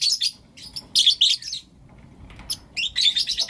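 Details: Lovebirds, Blue Opaline and Lutino Opaline, in the morning giving harsh, high squeaky chirps in short clumps, one burst of chattering twitter and another after a brief lull.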